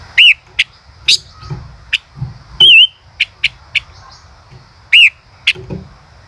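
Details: Male common rosefinch singing in the song style called "chế cựa hai": short arched whistles around mid pitch, some rising and some wavering, scattered among sharp dry clicks and taps, with faint low rumbling behind.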